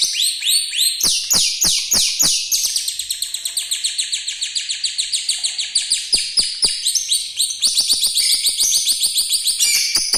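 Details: Lovebird with a rough voice and long chatter, used as a master song for young lovebirds and including canary-like phrases; continuous fast, high, descending chirps repeated several times a second, with louder shrill bursts toward the end.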